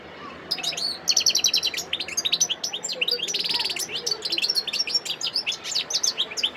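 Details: Wild goldfinch singing at Sidi Bel Abbes, Algeria, 17 December 2021: energetic, nonstop tinkling twitter with repeated sharp chips and a brief buzzy trill in the middle.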